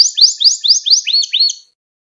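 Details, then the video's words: Canary training song for young canaries: a series of about seven rising, sweeping whistled notes, each roughly a fifth of a second long, ending in a flatter note, then silence. "Kanarya Ders Ötümü ve Kanarya Sesi"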